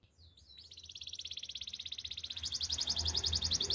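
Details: Canary song for training: a quiet opening then a long, fast, evenly pulsed trill growing steadily louder.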